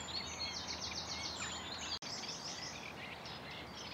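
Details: Reed warbler song at a reed-bed pond on a reserve in the UK, in the morning: a busy run of rapid, scratchy chirps and clicks in quick phrases, other birds chattering behind, steady background hiss.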